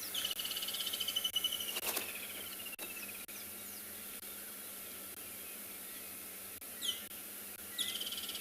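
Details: Woodland Kingfisher screeching on a sunny, cool morning in the South African bush, 30 November: a high, shrill trill running down the scale, then short sharp notes near the end, over a steady hiss of insects.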